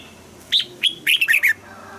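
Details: Morning-trained red-whiskered bulbul singing the double-note style of an old wild bird: a single phrase of about six sharp, slurred whistles, starting with two spaced notes, then a quick run.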